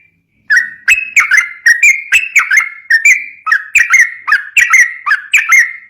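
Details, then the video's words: Sooty-headed bulbul song, played as a lure to train other bulbuls: a lively string of short whistled phrases, each a sharp upstroke dropping into a falling note, repeated steadily about twice a second. "trucuk ropel gacor cocok buat pancingan burung trucukan bahan"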